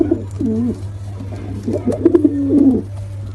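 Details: A pair of pigeons, male and female, utter soft rolling coos: a bubbling phrase early, a pause, then a longer throaty coo ending in a drawn-out moan, backed by a low droning hum.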